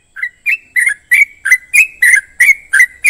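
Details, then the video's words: Trucukan delivering a rapid run of loud, slurred whistled notes about three per second, some rising and some falling, bright and emphatic, with no other sounds. "Trucukan bisu djamin langsung GACOR"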